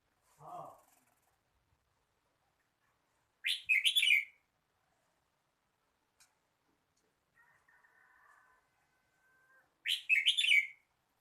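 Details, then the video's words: Red-whiskered bulbul singing two loud warbled phrases about six seconds apart, with a faint low sound at the start and a thin steady tone between phrases. "chào mào hót"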